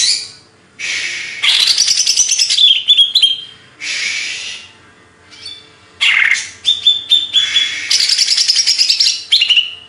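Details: Greater green leafbird of Banyuwangi origin, Indonesia, singing in loud bursts that alternate harsh, scratchy chattering with clear whistled notes, separated by short pauses.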